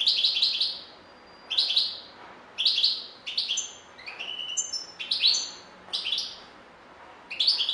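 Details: European goldfinch song: repeated bursts of sharp, high chattering twitters with a few clear whistled tones in the middle, phrases coming every second or so.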